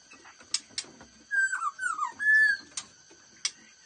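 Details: Black-throated laughingthrush (khướu bạc má) singing in the quick-beaked "giọng mau mỏ" style. A run of clear whistled notes slurs downward, then ends in a long steady whistle, with sharp clicks before and after.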